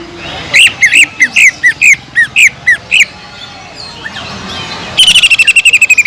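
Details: Greater green leafbird singing constantly, its song filled with kingfisher-like imitations for teaching other leafbirds: a run of about ten quick upslurred whistles, a quieter gap, then a long fast metallic rattle.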